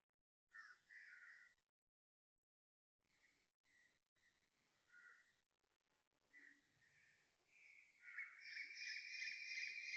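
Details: Asian koel calling at 6.55am on 30 January 2026 in Toa Payoh, Singapore, by a housing block; separate short whistled notes at first, then a loud, rapid, continuous series building toward the end.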